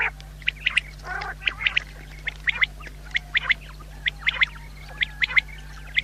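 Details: Common quail calling: short, sharp high notes clustered in quick groups of two or three, the groups repeated roughly every second, over a steady low hum.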